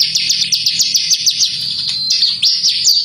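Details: Bar-winged prinia song used as a lure for caged birds: rapid string of high, bright, slightly down-slurred notes repeated several times a second, with a soft low murmur behind.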